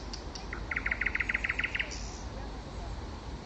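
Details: Spring song of a common nightingale: a loud rapid series of about a dozen identical clipped notes, repeated quickly and evenly, then a high whistle, with low background rumble.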